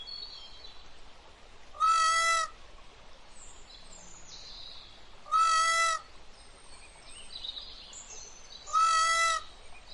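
Green peafowl giving three loud, nasal, trumpeting calls about three and a half seconds apart, with faint chirps from other birds behind.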